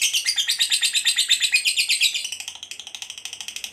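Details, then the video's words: Caged fighter lovebird in a long ngekek calling bout meant to draw other lovebirds to answer: rapid rasping chatter pulses in a steady train, loud at first, then softer and quicker after about two seconds. "Suara Burung Lovebird Ngekek Panjang Memanggil, Pancing Labet Apapun Rajin Ngekek"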